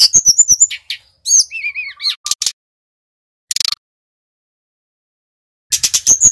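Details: Brown-chested jungle flycatcher, Bali type, singing as a lure recording: a burst of rapid high chips, then descending slurred whistles and buzzy notes, short rattles, a long pause and a final bright chattering phrase.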